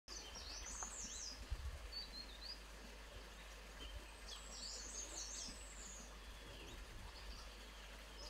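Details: Grey-headed canary-flycatcher in woodland at Motidhar gives thin, high twittering notes in two quick bursts, over a steady low background rumble.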